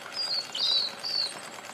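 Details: Black-throated bushtit calling: thin, high, slightly descending whistled notes, three short drawn-out phrases in under two seconds, over a faint steady background hiss.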